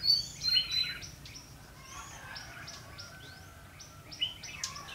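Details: Lure red-whiskered bulbul singing at a fighting trap to attract rivals, recorded on 12 February 2016: quick, sharp chirped notes in rapid, uneven succession, with louder accents at the start and near the end.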